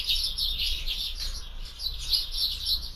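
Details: Afternoon feeding at a feeder brings steady high sparrow chatter, captured by a bird camera, with chirps blurring into a continuous twittering wash and faint low rumble beneath.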